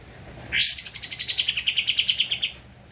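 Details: Caged Javan white-eye, recorded for training cage birds: one steep upward sweep followed by a fast, even series of bright chipping notes gently falling in pitch, lasting about two seconds.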